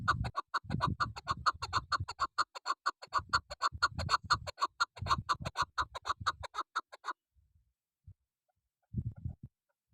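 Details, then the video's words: A female chukar partridge used as a hunting decoy repeats fast, harsh chuck notes for about seven seconds and then falls silent. Low rumbling background noise runs under the calls. "Shikari Chakor double sound .Female chakor sound.Keklik sesi voice."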